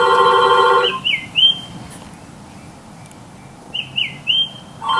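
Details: Tufted Titmouse heard from a back porch gives clear, high whistled notes that slur downward, in two quick bursts of three about three seconds apart, after a short stretch of music.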